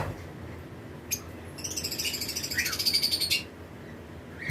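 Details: Lovebirds, pairs of different mutations in a flight colony during breeding season, launch into a fast, rattling series of high chirps, about three or four a second, framed by a few single sharp calls.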